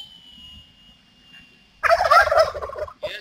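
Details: Male turkey displaying to females in a mating dance; after a faint thin whistle, a loud rapid rattling gobble bursts out for about a second, followed by a short second burst.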